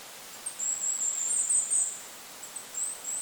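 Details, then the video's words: Goldcrest in a forest above a lake, wind audible: a run of rapid, very high, thin notes merging into a shimmering trill for about a second, then a shorter high burst. "Goldcrest bird call in the forest! Goldcrest call with wind noise in the background."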